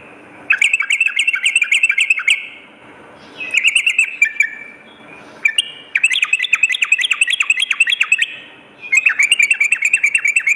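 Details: Sooty-headed bulbul, a lively singer used as a lure and master tutor for morning and night: bursts of fast, repeated chirping notes in rapid runs, separated by short pauses, with a faint steady hum behind.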